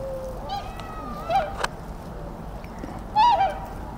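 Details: Tundra swan giving two short nasal calls about two seconds apart, each a brief bugling note with rich harmonics, over a steady low background hum.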